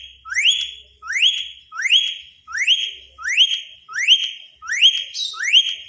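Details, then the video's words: Pet Indian ringneck parakeet, tamed, whistling indoors while wanting attention: nine identical sharp rising whistles, each sweeping up then holding briefly, repeated steadily about every two-thirds of a second. "green parrot talking"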